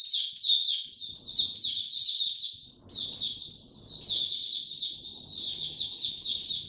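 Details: Caged white-eye (Mata Puteh), given no health supplements, starting to sing on 29 April 2022: bursts of rapid, high, jumbled twittering notes in phrases about a second long, separated by short pauses, with faint low background noise.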